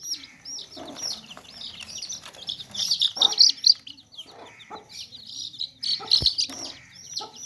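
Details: Many baby chicks peeping in a tokri basket, bright high downslurred chirps repeated several per second, with brief low clucks and a sharp knock around six seconds.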